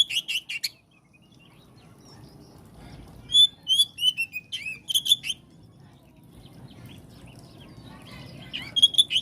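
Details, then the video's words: Oriental magpie-robin song in scattered bursts: a quick chirpy phrase, then several clear whistles and slurred notes, a pause, and another short burst at the end. "Kacer jenis apapun jika dengar suara ini langsung RESPON"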